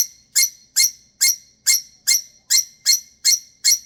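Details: Shrill repeated squawks from a female pet lovebird throwing her normal tantrum when she wants to go to bed, nine harsh high notes in a steady, quick rhythm about every 0.4 seconds.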